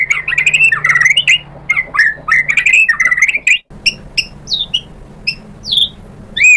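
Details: White-rumped shama singing fast, dense phrases of swooping whistles and harsh squawky notes, then sparser sharp downslurred notes after a brief break.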